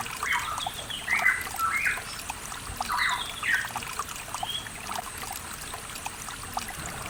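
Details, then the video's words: East Javan mountain recording of a pitohui, meant to stir birds that have stopped singing: rough, clustered squawking notes in the first four seconds, then quieter, with running water throughout. "PANCINGAN BURUNG PITOHUI MACET"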